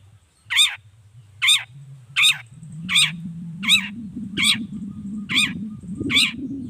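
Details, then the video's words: Series of scratchy, down-slurred long-tailed shrike calls meant to draw answers from other shrikes; eight harsh notes at a fairly even pace of under a second, with a rising low hum behind. "Suara Cendet Gacor Pagi Siang Sore Biangnya Bikin Cendet Manapun Nyaut Emosi Ikutan Bunyi"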